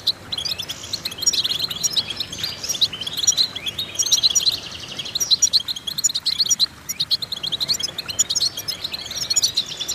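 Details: Goldfinch song for stimulating captive goldfinches, given in bursts of tinkling, chattering notes about once a second, broken by short gaps.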